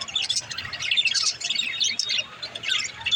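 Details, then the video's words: Mother budgie inside her nest pot, chattering nonstop in high, squeaky, scratchy chirps that rise and fall in quick bursts, with a quiet low hum beneath. "Mother budgie in their pot l birds chirping sound"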